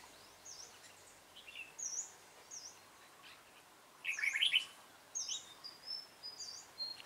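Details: Red-whiskered bulbul used as a decoy in a trap on 28 February 2017; a short, loud, chattering warble after a quiet start, with scattered high-pitched chirps and whistles from surrounding birds.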